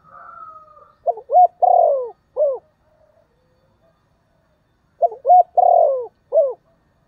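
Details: Calling decoy spotted dove, its voice said to suit drawing wild doves: two low cooing phrases about four seconds apart. Each has two quick notes, a drawn-out falling coo and a short clipped ending, after a faint higher hum.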